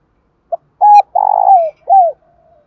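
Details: Lure spotted dove's fighting call, used to provoke wild doves into calling back: a quick introductory note, a level coo, a long vibrant coo falling away, and a closing downward coo.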